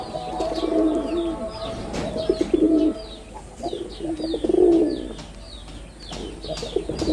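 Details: Low, gurgling coos from a male red-bordered wild pigeon in display, delivered in bursts roughly every two seconds, while sparrow-like chirps and a steady drone fill the background.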